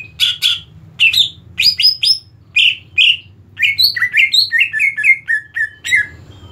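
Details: Greater green leafbird (cucak ijo), a bird said to be ready for competition, delivering a fast varied song of whistled, chirping and descending slurred notes in quick succession over a low background hum.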